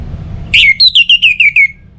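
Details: Orange-headed thrush singing; its song is used to prompt other birds to sing. A single loud burst of about seven short, high, downslurred whistled notes rapidly follows one another over a faint low hum.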